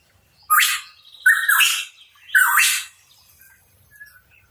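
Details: Hooded pitohui (cucak rawa papua) giving three loud, rough notes spaced about a second apart, each starting with a brief whistled tone before a harsh downward sweep, then quiet.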